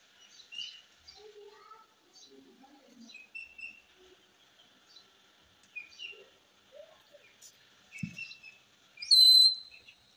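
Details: Pet green ring-necked parakeet chatters in squeaky, speech-like talking mimicry of varied chirps and syllables, ending in a loud, shrill screech.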